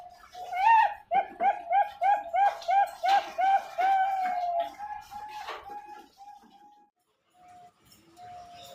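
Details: Bangkok-line zebra dove from a Pasuruan bird farm in East Java, Indonesia: a rising opening note, nine or so rapid cooing pulses, then softer, scattered trailing notes with some faint background clatter.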